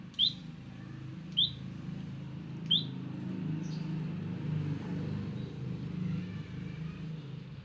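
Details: A wild olive-backed tailorbird stops by: three sharp, high chirping notes about a second apart, each a quick downward flick, then quiet, over a steady low rumble of passing traffic.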